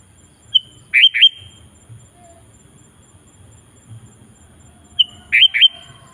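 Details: Sooty-headed bulbul singing actively, used to call wild bulbuls into song: a short, high, clear note followed by two quick slurred whistles, the phrase given twice about four seconds apart over a quiet low rumble.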